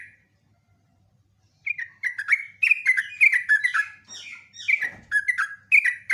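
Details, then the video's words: Sooty-headed bulbul in full song, a long-phrased lure recording: after a brief opening note and a pause, rapid bubbly, slurred whistled notes run in a steady chattering stream with short gaps. "BURUNG TRUCUKAN GACOR ROPELAN PANJANG"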